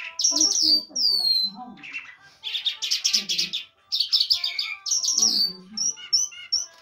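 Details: Lark song in the Mashadi (Iranian and Afghan jal) style: varied phrases of clear whistles, buzzy trills and sliding notes, broken by short pauses, closing with a few evenly spaced thin pips.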